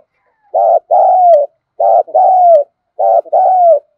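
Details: Spotted dove decoy call for luring wild birds: three loud, clear two-note phrases, a brief coo followed by a longer coo that slides downward, spaced about every 1.3 seconds.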